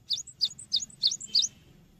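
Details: Lively Cinereous tit song used as a lure for training birds: five quick phrases, each a bright high note pair repeated about every third of a second, set against a soft low background hum.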